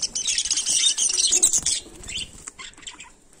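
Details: A loud burst of harsh, high budgerigar (Melopsittacus undulatus) chatter lasts almost two seconds in a daily-life scene, then fades into sparse, quieter chirps.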